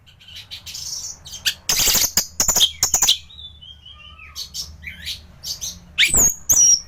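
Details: Orange-headed thrush in gacor song, kept in Indonesia as a tutor for other birds: scattered harsh bursts and clicks, a quiet falling whistled run midway, then a loud high sweeping whistle near the end.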